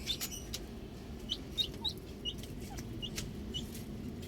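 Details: Young chicks enjoying the outdoors, scattered high short peeps a few per second, fairly sparse, over a constant low background rumble.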